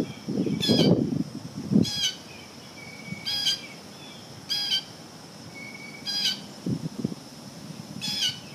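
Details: Blue jay eating peanut suet, giving six harsh, raspy calls spaced one to two seconds apart, each short and rich in overtones, with low thumping and knocking sounds between them.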